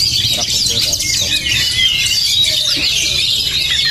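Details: Emotional, steel-nerved Oriental magpie-robin giving rapid, crowded high chirping and whistling, with a few softer lower notes scattered beneath the dense song.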